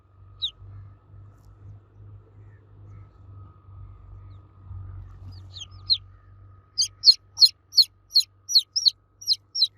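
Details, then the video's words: Chicks cheeping loudly for the mother hen: scattered high peeps at first, then a fast regular series of piercing downslurred notes, over a low hum. "Baby Chicks Chirping Sound For Kids Chicks Cheeping Loudly For Mother Hen"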